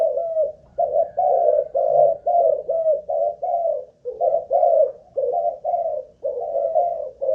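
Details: Spotted dove kept in a cage as a decoy, of Malaysian stock, cooing nonstop in a stamina test; a dense chain of soft, hollow, low coo notes with only slight breaks.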